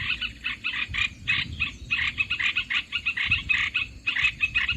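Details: Used to lure birds into traps, Olive-winged bulbul chattering comes in quick, harsh bursts grouped into short runs separated by tiny gaps.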